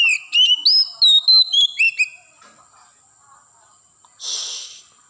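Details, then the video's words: Wild Oriental magpie-robin in forest producing a fast run of short, upslurred whistled notes for two seconds, followed by quiet and then a brief harsh hissing rasp. "suara asli kacer hutan"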